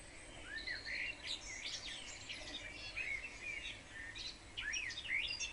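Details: Spring garden house sparrows squabbling over nest boxes in sunny weather: repeated upward-sliding chirps and rapid twittering from several birds, fairly continuous over a soft background hiss.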